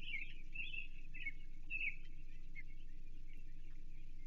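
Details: Chesapeake nest, 28 June 2023: an osprey calls as an American shad is delivered for the young. Several quick high chirps come in the first two seconds, then fade, over a steady low background drone.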